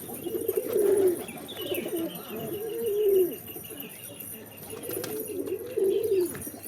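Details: {'caption': 'Pigeons cooing: low, soft, rolling coos in repeated swelling phrases about a second long, with a quiet hiss and faint high ringing in the background.'}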